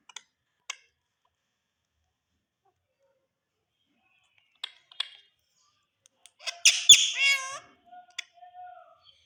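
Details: An Indian ringneck parakeet talking to a mirror gives a few dry clicks, then a brief burst of raspy, wavering, speech-like chatter that trails into soft whistles.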